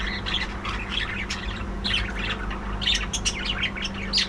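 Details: Breeding colony of budgerigars calling densely, quick chirrups and bright warbled phrases tumbling over one another, a faint low hum behind.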